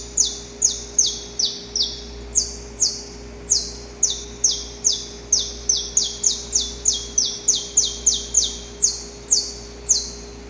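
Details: Male saffron finch recorded in the wild before dawn, courting a female: an extended string of piercing, high downward-sweeping chirps repeated about twice to three times per second, slightly irregular spacing, against a soft background hum.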